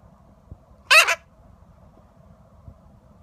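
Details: A 22-year-old yellow-collared macaw (Primolius auricollis) gives one harsh, raspy screech in two quick pulses lasting about a quarter second, against a quiet, faintly humming background.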